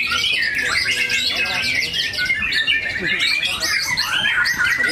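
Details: A white-rumped shama from Palembang competes at the BMBK Cup 3 bird contest in Lampung, 17 December 2023. Its dense, rapid song of high chirps, trills and sharp whistled phrases runs unbroken, with background chatter.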